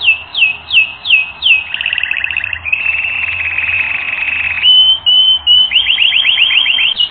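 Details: Canary training recording: five falling whistles, then a buzzy double trill and a long, even rolling tour. A clear flat whistle follows, and the phrase ends in a quick series of rising-falling notes.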